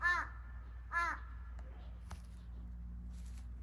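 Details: A Large-billed Crow from a territorial pair around a house, recorded 16 April 2021 in spring breeding season, gives two hoarse, harmonic caws about a second apart, seemingly communicating with an indoor crow, over a low indoor hum with faint clicks.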